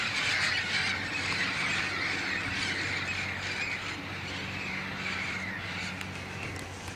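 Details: Large flock of parrots assembling at sunset in Glendale, California, recorded 13 January 2015: a constant chorus of harsh squawks and squeals, a few sharper calls standing out, over a low hum of distant traffic.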